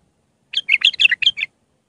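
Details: Raw Mandali Iraqi bulbul, singing as a lesson for bulbul chicks: a single bright, liquid phrase of about six quick warbled notes lasting under a second.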